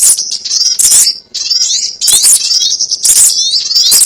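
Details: Trapping lure of sogon birds: bursts of shrill twittering and descending slurred squeaks, repeated roughly each second, with several voices overlapping.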